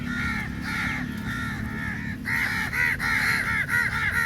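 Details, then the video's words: Many crows attacking food at feeding time: a dense chorus of harsh, throaty caws repeated rapidly by several birds, growing louder toward the end, over a low steady hum. "Crow Sounds Very Loudly"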